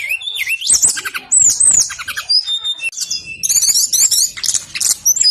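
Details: Brown-chested jungle flycatcher, a male, singing insistently as a lure to set reluctant birds singing: varied whistled phrases that rise and fall, with quick trills and sharp high chips tumbling together.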